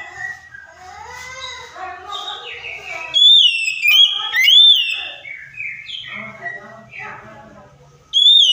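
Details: Oriental magpie-robin lure song, used to provoke a silent, stressed bird into singing: varied whistled and chattering phrases, then loud bright upslurred whistles from about three seconds, with a final loud burst and faint low hum beneath.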